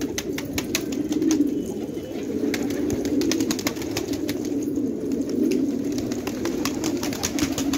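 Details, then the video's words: Afghan village flock of fighting tumbler pigeons in Khanabad giving a sustained, low, overlapping coo chorus that rises and falls, with many quick clicking sounds throughout. "کفتر های جنگی پرشی در خانه آباد"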